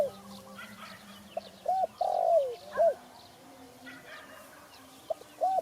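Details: Spotted dove uttering clear rounded coos and one long descending note, phrases separated by pauses, against a quiet backdrop with faint chirps from other birds and a low hum.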